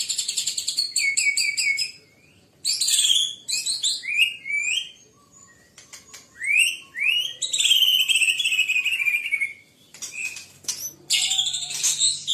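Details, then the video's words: White-rumped shama (murai batu), described as fierce and in full voice, pouring out a varied song of rich whistles, rapid slurred phrases and sweeping notes, with short pauses between bursts. "Murai Batu Ganas Gacor"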